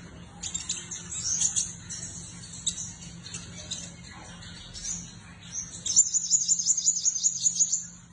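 A sunbird twitters in thin, very high-pitched notes, ending in a fast, even trill of rapid repeated notes. A faint low hum sits underneath.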